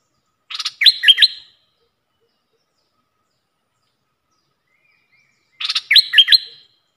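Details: Caged red-whiskered bulbul luring decoy: two short, buzzy-edged bursts of hooked whistled notes, roughly five seconds apart, with silence between.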